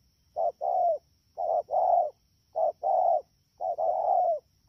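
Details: Spotted dove caught from the wild, heard in the rainy season at Đak Tô on 3 October 2019, delivering quick paired coos, a short note leading into a longer drawn one, four phrases in succession.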